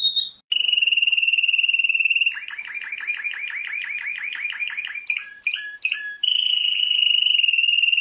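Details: A world champion canary delivers a long, smooth rolling trill, then quick paired chirps, a few sharp staccato bursts and another extended roll.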